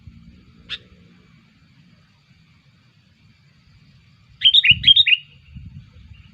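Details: Sooty-headed bulbul calling as a lure for other bulbuls: one isolated sharp note, a long quiet gap, then a fast burst of three or four bubbly warbled phrases, with low thumps around them.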